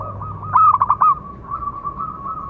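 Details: Zebra dove with a big, special local voice sings a calling song for training and luring doves: one loud phrase of five rapid coo notes, followed by a long soft coo trailing away.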